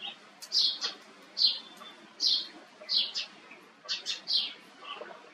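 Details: An Indian roller, injured in one leg and struggling to perch, stops at a birdbath for water one afternoon, giving short, harsh, rasping chack notes singly or in quick pairs, about once a second, over a quiet background.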